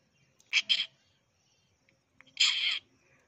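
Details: Unidentified bird in a Rajasthan village, India, giving two loud, harsh, scratchy bursts: a quick double note, then a longer rasping call about two seconds later, with silence between.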